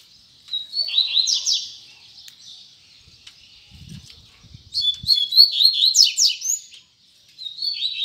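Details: Tui tui zel zel song of a double-collared seedeater, two bright bursts of quick slurred whistles and steep chirps split by a gap, a few soft low thumps in between.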